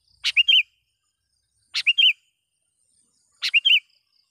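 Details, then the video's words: Sooty-headed bulbul in full voice calling a rival, used to lure wild bulbuls: three short phrases about 1.6 seconds apart, each a harsh burst followed by two or three bubbly, rolling whistled notes; otherwise quiet. "suara BURUNG KUTILANG gacor memanggil lawan"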